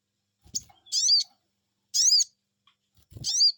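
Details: High, harsh, arched chirps from a sogon bird reacting to a lure call, three bursts spaced about a second apart, with dull low thumps in between.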